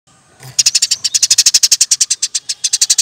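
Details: Eurasian tree sparrow in a training recording for songbirds, delivering a fast, rolling series of high, sharp chirps, about eight per second, after a brief quiet start.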